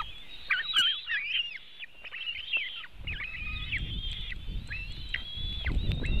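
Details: Webcam at a white-tailed eagle nest in Latvia, afternoon of 24 June 2018, eaglets being fed a large fish: chattering series of high, thin whistled notes with abrupt drops, louder low rustling and thumps from the second half on.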